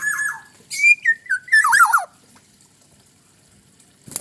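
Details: A single black-naped oriole phrase: a wavering whistle, then high steady fluty notes stepping down into a harsh buzzy squawk with sliding downward whistles. A short sharp click follows near the end.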